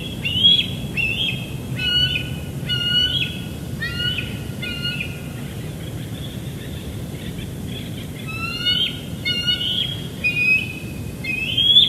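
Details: Bald eagle juvenile squeeing while chasing a parent at evening, Big Bear Lake, June 2022, via live cam: bursts of high, stacked, chattering notes in short clusters, separated by quieter gaps.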